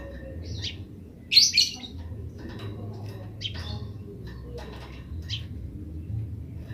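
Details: Wild Eurasian tree sparrows calling grece, with wild ones replying: scattered sharp chirps, one loud double chirp early, then softer bursts spaced one to two seconds apart over a low hum.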